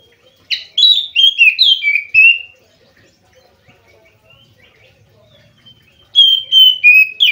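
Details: Oriental magpie-robin, a captive singing bird, delivering a fast run of six slurred whistled notes that step downward, then a pause of several seconds before another descending whistled phrase begins.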